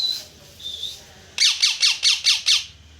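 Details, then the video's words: Parrot calling very loudly: after a faint high whistle, six harsh, rapidly repeated squawks, each sweeping downward, arrive about five per second. "parrot Chirping sound very loud"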